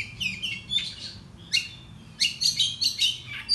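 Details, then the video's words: Morning song of an agitated Oriental magpie-robin, used to stir up other birds. Varied whistled and buzzy phrases precede a fast, loud series of harsh, strident notes at the close. "Pancingan Kacer Bikin Emosi Agar Kacer Gacor ! Buka Ekor Ngobra"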